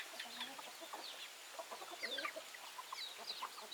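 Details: Backyard chickens in constant chatter: quick high chirps and squeaks mixed with lower clucks, many birds calling at once without any gap.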